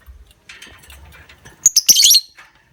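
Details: Lovebird, played to encourage other lovebirds into long ngekek trills: faint chirping, then sharp high squeaks running into a dense, harsh, buzzy chatter burst.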